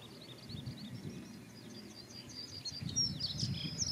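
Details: A Dunnock perched on a yellow rapeseed plant, singing and looking around, gives a fast, high, jangling warble that runs on without a break for four seconds over a steady low rumble of wind or distant traffic.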